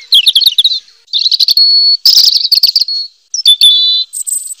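A robin sings rapid, high-pitched warbling phrases of twittering notes, trills and short sustained whistles, broken by brief pauses. Nothing else is heard.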